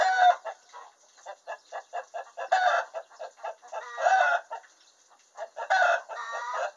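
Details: Domestic hen cackling after laying an egg in the henhouse, quick rhythmic clucks building into long ringing squawks, repeated three times in a loud insistent pattern.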